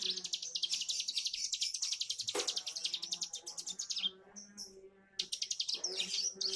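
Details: Young bar-winged prinia learning its song: rapid, evenly pulsed high chattering notes repeated several times a second, broken by a short pause, over a steady low harmonic hum.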